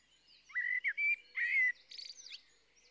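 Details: Blackbird with smooth, steady whistled notes, three or four drawn-out phrases, followed by a high, scratchy, chattering twitter that closes the song.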